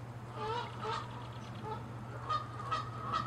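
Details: Canada geese fighting and honking, territorial; rapid series of short nasal honks, roughly two per second, softer lower calls first and then sharper higher honks, low hum underneath.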